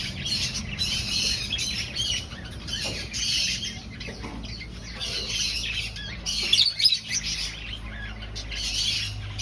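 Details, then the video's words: Aviary finch colony during breeding, birds looking for a nest; overlapping high twittering calls from several birds in waves, with a few louder sharp notes near the end and a low background hum. "Finch Sounds"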